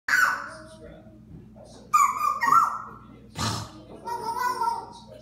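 An African grey parrot chatters in nasal, speech-like phrases, then gives a short, raspy, spluttering burst imitating a fart before more mimicked chatter.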